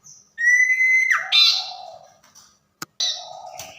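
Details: Tame common iora singing actively at night: a long steady whistle held near one pitch that drops sharply at its end, followed by harsh rasping notes and lower buzzy phrases.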